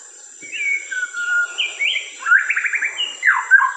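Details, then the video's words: White-rumped shama, colourful and a fine singer, delivering a varied melodic phrase. Smooth whistles lead into a quick trilled series and sharp down-slurred notes, with a faint constant high hiss. "นกกางเขนเขนดง สีสวย ร้องเพราะมากๆ"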